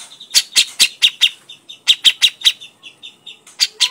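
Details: Sharp clipped chips from a grey-cheeked bulbul in crecetan chatter, delivered in two quick runs of about five notes each, separated by softer buzzy notes, with a final pair of chips.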